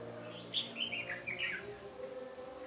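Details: Red-whiskered bulbul singing during trapping on 13 January 2017: one clear, rapid warbled phrase of several bubbly notes that rise and fall. A steady background drone runs underneath.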